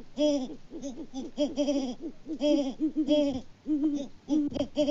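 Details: Wild Great Horned Owl pair on a farm in Peabody, Kansas, hooting back and forth in February 2024, the male unseen before leaving for his roost. Dense runs of deep, resonant hoots, some short and clipped, some drawn out, in near-continuous bursts.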